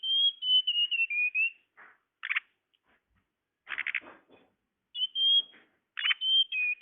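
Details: Lure call of the tledekan bird: a string of high, level whistles stepping slightly downward, broken by harsh buzzy chatter bursts and a short gap before the whistling resumes.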